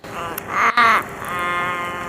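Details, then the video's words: Australian raven of the nominate subspecies in Sydney, making a chatty, varied series of strange sounds: harsh, nasal, drawn-out wailing notes rich in harmonics, broken by a short gap and ending in a steadier tone. "Raven making strange sounds."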